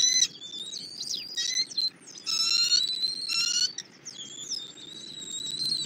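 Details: At a Southwest Florida nest, 8 February 2024 at 11:00, a bald eagle delivers a catfish and feeds its eaglet. Loud, high, piping chatter comes in rapid bursts of stacked whistled notes, with short pauses between bursts.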